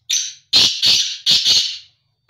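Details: A tame, free-roaming black francolin gives its harsh grating call: a short rasping opening note, a pause, then three loud scratchy, hoarse syllables run together, lasting about a second and a half in a quiet setting.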